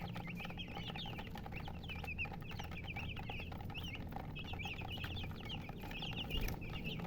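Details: Young chickens peeping in a busy flock, quick high chirps in dense bursts with a brief lull midway, steady low hum underneath.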